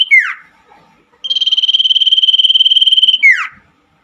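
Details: Night singing of a common iora, meant as therapy for caged birds that stopped singing: a falling slur, a short pause, then a steady pulsed trill of about two seconds closing with another swift descending note.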